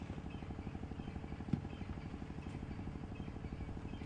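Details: An idling vehicle engine throbs steadily outdoors at sunset, with one sharp click partway through and no animal calls.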